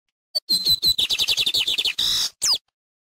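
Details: Lined seedeater singing loudly in nature: a fast burst of sharp, high chirping notes in a dense rattling series, ending with a buzzy trill and a single swept whistle.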